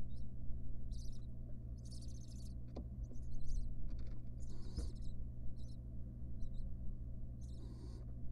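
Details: Nest box of wild barn owls, a mother with nestlings: repeated high squeaky chitters in irregular bursts, mixed with a few sharp clicks and knocks, over a persistent low hum.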